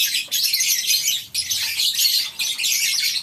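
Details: Colony-housed lovebirds at a breeding farm in the morning give rapid, piercing squeaks and twitters, bursts broken by brief gaps about every second.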